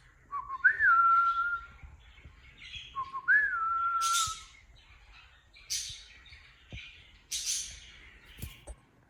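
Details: Pet cockatiel indoors: two loud whistled calls, each a low note rising into a held whistle, followed by several softer scratchy chirps.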